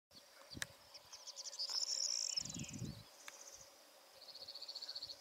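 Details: A Yellowhammer in meadows of Spain's Cantabrian strip sings a fast, high, dry string of repeated notes that swells and drawls, then starts another rattling series, with low wind thumps underneath.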